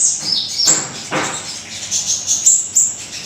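Small Minivet giving a run of very high, thin, sibilant notes in quick succession, with a couple of soft rustling bursts early on.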